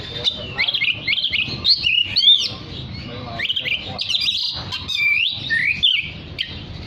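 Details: Oriental magpie-robin singing energetically, a song meant to call other magpie-robins: rapid, varied high whistled phrases with sliding notes and quick trills in a dense, continuous stream, over a low background hum.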